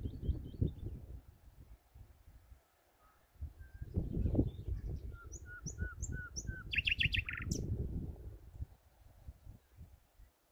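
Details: Common nightingale singing unseen in spring 2019 in Holland: a run of repeated short whistled notes, then a rapid high buzzy rattle and a sharp rising note, over steady low rumbling background noise.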